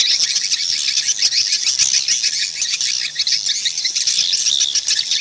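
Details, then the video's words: Many swiftlets twittering together: fast high chirps packed into a constant bright chatter, with a brief dip midway. "Suara Panggil Burung Walet"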